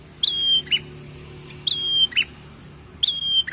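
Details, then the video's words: A prinia repeats a high, thin whistled note that slides slightly down and is held, then gives a short lower chip, roughly every one and a half seconds. "SEKALI PUTAR PRENJAK LANGSUNG BUNYI dan Tambah gacor!!"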